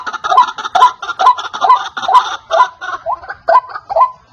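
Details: White-breasted waterhen calling, used to lure birds for trapping: rhythmic, hoarse, clucking notes about twice a second, loud at first, then a few slightly softer, more spaced notes near the end.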